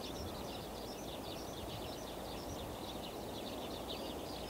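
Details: Brambling (Fringilla montifringilla), flock calls.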